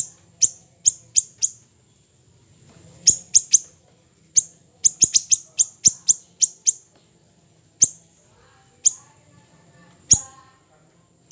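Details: Siri-siri kecil in a recording made for tutoring other birds: piercing high ticks in clustered bursts, some fast triplets, spaced by gaps of one to two seconds, with a faint low hum beneath.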